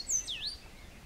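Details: Cabanis's ground sparrow recorded at Grecia, Costa Rica: two very high, thin slurred notes, the first sweeping steeply down and the second rising back up, within about half a second, over quiet background hiss.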